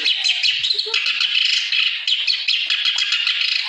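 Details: Constantly singing clamorous reed warbler used to spur reluctant birds to sing. It gives a nonstop, rapid stream of gritty, chattering notes at an even, loud pace, with a scratchy texture and no breaks.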